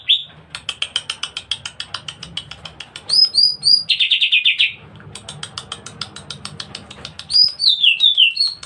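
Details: Greater green leafbird, cage bird in aggressive fighting-style song: rapid runs of sharp high chips, interrupted by slurred whistled phrases and a buzzy rattling trill, with a faint low hum beneath.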